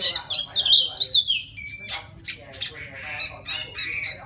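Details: Forest white-rumped shama song aimed at calling a female: warbled high whistles sliding downward, a clear flat whistle, then a series of short sharp notes and rough chattery phrases spaced irregularly.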